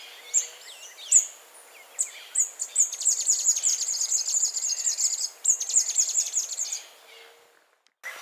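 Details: A scrub tanager (Stilpnia vitriolina) sings, opening with a few scattered, very high chips, then running into a fast string of thin, sibilant twittering notes lasting several seconds.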